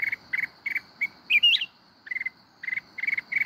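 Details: Mountain red-whiskered bulbul giving wild-forest 'kít bổi' style song: groups of short chattering notes, a rising whistled flourish in the middle, then more clipped note clusters, with a constant high-pitched drone behind.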